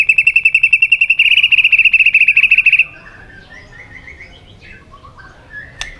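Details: White-rumped shama singing competitively: a long, rapid trill of evenly spaced bright notes lasting about three seconds, followed by soft, low warbled whistles and a single click.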